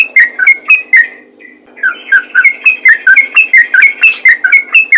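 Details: Yellow-vented bulbul calling to other bulbuls, which answer: loud, bubbly, liquid whistled notes about four per second, briefly pausing near one and a half seconds, then resuming in a rapid chattering run.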